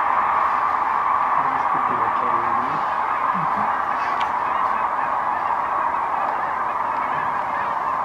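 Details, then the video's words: Large gathering of cranes landing far off near Wood River, watched from a blind on March 8. Their massed rattling calls merge into a steady unbroken roar, with faint low murmurs of people nearby. "Wood River Cranes"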